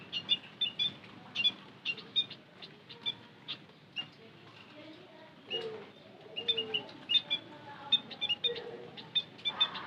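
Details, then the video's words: Lure sound of white-headed munias, a long stream of high, piping chirps from several birds, thinning briefly midway, then picking up again with denser calling. "Suara Pancingan Emprit Kaji - Bondol Haji"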